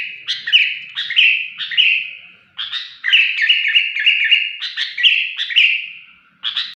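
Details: A talkative sooty-headed bulbul sings in an odd, piercing voice. Short shrill phrases of two or three sharp, slurred notes repeat in bursts, separated by brief pauses, against a quiet background.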